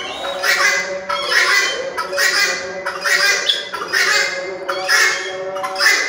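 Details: ['Loud, harsh red-wattled lapwing calls, each a short ringing burst, given at a steady pace of about one per second.']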